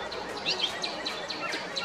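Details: Brown thrasher (Toxostoma rufum) singing in a tree at Long Point Provincial Park, Ontario, during spring migration: a run of quick, high, downslurred notes, several a second, over a steady hiss of outdoor background noise.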